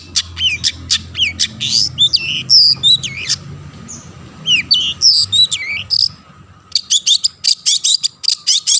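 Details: Lively long-tailed shrike singing, meant to provoke other shrikes to answer: mixed sharp clicks, looping whistled slurs and harsh notes, a brief pause near the middle, then a rapid string of short scratchy chips.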